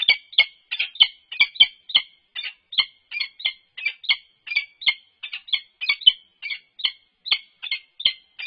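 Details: At a UC Berkeley peregrine falcon nest box, November 3, 2021, an unfamiliar male perched on top interacts with the resident female. Loud, rasping notes repeat steadily, two to three each second, in an unbroken chatter over eight seconds.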